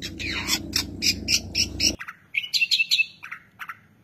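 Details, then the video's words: Madura long-tailed shrike in a full masteran song packed with fill-in phrases: a first half of rapid, rattling buzzy notes over a steady low hum, then clear descending whistled slurs and sharp chips after the hum stops. "Masteran Burung cendet Madura terbaru 2023 ...!!! full isian sekebon."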